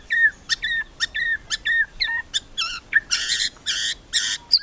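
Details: Kretekan song of a white-rumped shama, meant to make rivals sing: a string of sharp, evenly spaced whistled chips, then harsh buzzy rattling bursts near the end.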